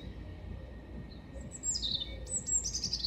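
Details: Singing European robin recorded at Hengelo on 5 May 2018: quiet opening, then from mid-clip a bright, very high, twittering phrase with rapid slurred notes running to the end, over low rumble.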